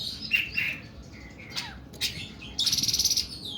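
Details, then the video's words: Oriental magpie-robin in 'nembak' style, singing long and harsh: scattered whistled and slurred notes, then a loud rapid buzzy rattle of about ten pulses near the end. "KACER KUKU BIMA NEMBAK PANJANG & KASAR"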